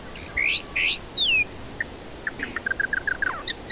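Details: White-rumped shama singing as a lure to draw out stressed birds that won't sing. Loud downslurred whistles open the phrase, followed by a fast chain of short, soft, evenly spaced notes.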